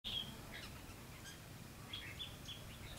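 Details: Red-whiskered bulbul singing during trapping on 21 November 2016: short whistled notes with a few quick slurred phrases, spaced irregularly over steady low background hum.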